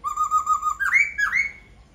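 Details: Laughingthrush song: a steady wavering whistle held for nearly a second, followed by two rich upward-sliding whistled notes that level off and fade.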